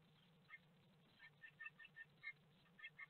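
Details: Great tits fighting at a nest box in Théding, France, on 18 March 2020: short, high chipping notes in quick irregular bursts, faint over a steady low hum.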